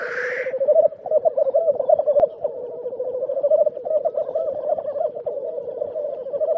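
Black grouse: a brief hissing sneeze, then a continuous low, dove-like bubbling that rolls on with rhythmic surges for several seconds.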